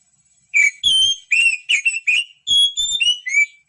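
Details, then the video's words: Oriental magpie-robin song for encouraging silent birds to sing: clear, loud whistled phrases with rising and falling slurs, delivered in quick succession with one short break. "PANCINGAN SUARA BURUNG KACER MALAS BUNYI"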